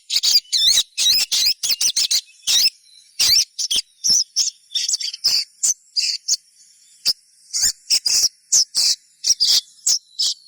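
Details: Sogon chattering song to prompt other sogons into singing: nearly continuous high, bright chirps and trilled notes in quick clusters, with short pauses and a faint constant high tone.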